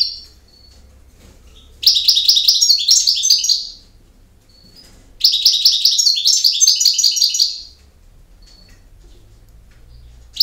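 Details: European goldfinch singing in the campero song style: two dense bursts of bright, tinkling, twittering notes, each about two seconds long, with near silence between them.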